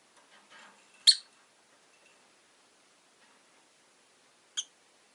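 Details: Two short, sharp chirps about three and a half seconds apart from a caged rosy-faced lovebird, one of five near a window, with faint soft rustling between them.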